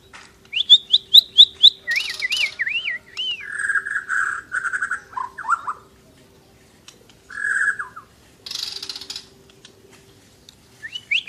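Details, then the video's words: Asian brown flycatcher singing actively: quick upswept whistles repeated in a series, then buzzy trilled phrases, hissy bursts and falling slurred notes, with short silent gaps. "Burung mure bordan gacor"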